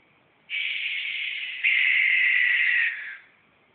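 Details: One of two adult barn owls calling to each other in the dark from trees near their palm-tree nest in North Tustin, 8 April 2011, gives one long, harsh, hissing screech lasting almost three seconds, louder and rougher midway, then fading.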